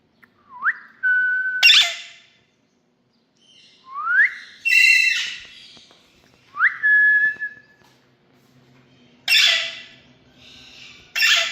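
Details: Indian rose-ringed parakeet kept as a pet indoors: sharp rising whistles that level off, each followed by a harsh screeching burst, repeated in several bouts with short pauses between them.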